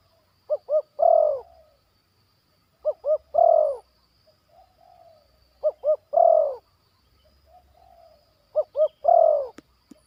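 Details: Zebra dove, a trainee bird in a yard, giving its batuk and poin song. Four phrases, each two short clipped coos leading into a longer rolling, gently descending coo. Soft faint murmurs between phrases and a single sharp click near the end.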